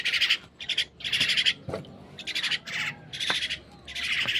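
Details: Pet myna being fed gives harsh, raspy squawks in quick bursts, about six in four seconds, with a few soft clicks and taps between them.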